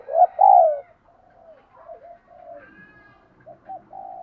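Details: Spotted dove cooing to train decoy doves: two loud, low, hollow coos open the recording, followed by softer, broken coo notes and faint murmurs.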